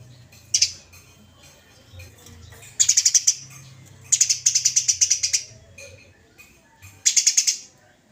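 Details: Fighting Eurasian tree sparrow, recorded as a training master for songbirds: sharp pulsed chirps in clusters, one long rattling run of about a dozen notes in the middle, then a short final burst.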